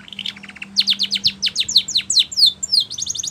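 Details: Training song of a Spanish Timbrado canary, opening with short repeated notes, then a fast series of steep downward sweeps, ending in bright high chirps.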